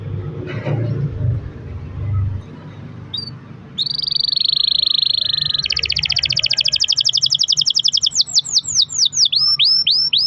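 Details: Canary long-roll song used as a prompt for other canaries: after a few seconds of low background noise, a level buzzy roll, a fast dense trill, then repeated sweeping downslurred whistles.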